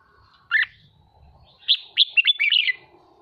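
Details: Red-whiskered bulbul, a caged bird being trained to sing in an excited, fired-up state: one loud sharp note, then a quick burst of bright chattering whistled phrases; faint low rumble beneath.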